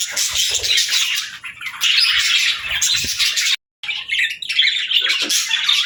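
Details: Morning calls from a pet parrot starting its day: near-continuous harsh, buzzy squawking with uneven swells, broken by a brief silent cut, then resuming just as raucously.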